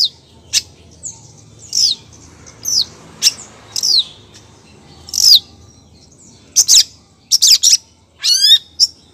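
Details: Female long-tailed shrike calling to a male: separate sharp chips and short scratchy notes with pauses, then a quick cluster of clicks and a wavering descending trill near the end, faint low hum behind.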